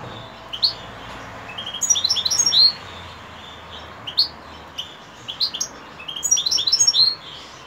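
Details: European goldfinch heard in the evening, giving scattered high, clipped twittering notes in small clusters separated by short pauses, over light background hiss.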